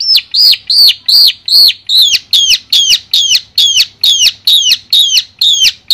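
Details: Madura long-tailed shrike singing a clear masteran song: loud, arched, downslurring whistles repeated steadily about twice a second, with later notes carrying a quick upward flick before the fall. The background is quiet.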